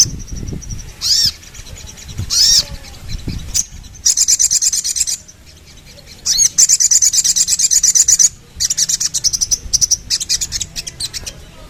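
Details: Sooty-headed bulbul opening with two loud rising whistles, then long runs of fast, high, buzzy rattling trills with brief silent breaks.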